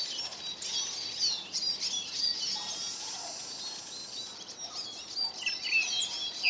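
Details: A flock of hungry Eurasian siskins at a bird feeder in Kolmården, Sweden, recorded from the ground beneath; busy overlapping high twitters and chirps, rapid and irregular, with a few lower descending notes.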